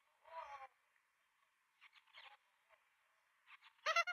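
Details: Australian magpie chicks at a nest in Melbourne, 23 September 2022, at feeding time (11:53), give harsh, wavering begging squawks in three bursts over four seconds, the last loudest and rising.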